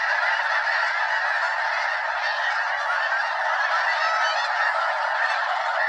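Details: Over 200 Snow Geese fill the sky above Limestone Bay, Wheeler National Wildlife Refuge in North Alabama, circling before landing; a steady wall of high, nasal honks from countless birds calling at once.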